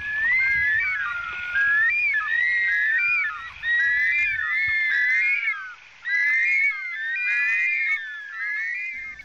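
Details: Bush stone-curlews in Australia, a mostly nocturnal bird whose shrill call carries through the night, wail in eerie, high whistled rising-and-falling notes, overlapping in bursts every two seconds or so, like several birds calling together.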